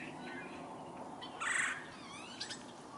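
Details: Woodpecker, from a backyard with downy and red-bellied woodpeckers foraging for insects on a willow tree in 2022, gives one short harsh rolling burst mid-clip over steady background hiss, with thin whistled notes from other birds around it.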